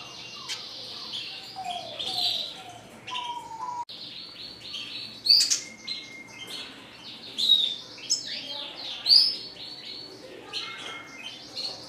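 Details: Red siskin, a classic-type bird described as singing constantly, sings a high twittering song mixing buzzy trills, downward-sliding whistles and loud bright chirps spaced every couple of seconds.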